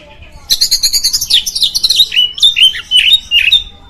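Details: Oriental magpie-robin song for provoking other magpie-robins; a rapid burst of buzzy chattering notes opens, then clear whistled phrases sliding up and down at a lively pace.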